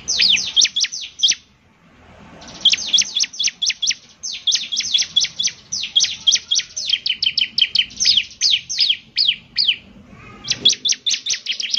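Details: Energetic Bar-winged prinia song: rapid volleys of high, sharp downslurred chirps separated by short pauses, each volley a fast, insistent chatter.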